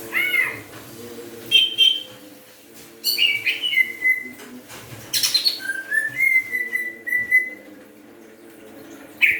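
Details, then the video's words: Kalimantan greater green leafbird back in song after Newcastle disease: scattered sharp chips and clear whistled notes, some falling, some held flat, separated by pauses over a constant low hum. "Cak Ijo Kalimantan Bunyi lagi setelah Kena Tetelo"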